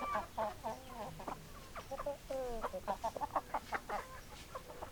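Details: Clucking hens, a steady run of short harmonic clucks repeated about twice a second, one longer sliding cackle midway, several birds overlapping in a quiet coop-like setting.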